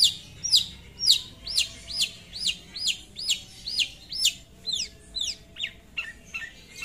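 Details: Cendet, the long-tailed shrike, in full song to call out a rival, repeating arched, sweeping high notes roughly twice a second, shifting midway to steeper downslurred whistles, with a low steady hum beneath.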